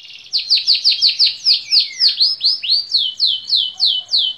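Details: A clean canary phrase of clear, rhythmic downslurred whistles, each repeated about four times a second, running steadily with almost no background.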